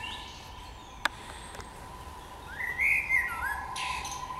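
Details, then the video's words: Spring birdsong: after a quiet stretch with a steady low hum and a couple of clicks, one bird gives a short bright warbled phrase, then a higher rustling trill near the end. "Wiosenny śpiew ptaków"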